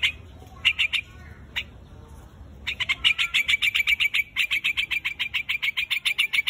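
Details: A few scattered sharp chips from a white-headed quạch mốc calling its flock, then a long, steady, rapid series of clipped bright notes, about three or four per second, continuing to the end.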